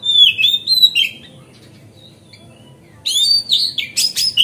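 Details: Energetic magpie-robin (kacer) song used to provoke other magpie-robins into tail-spreading: slurred whistled notes falling and rising, a quiet pause of nearly two seconds, then renewed rich whistles mixed with scratchy buzzy bursts.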